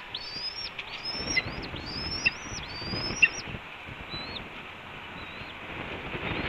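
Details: Red-tailed hawk calling at a Cornell nest as breakfast is announced and brought in, April 2013 morning: rapid run of high, drawn-out whistled notes for about four seconds, then fainter calls and ambient hiss.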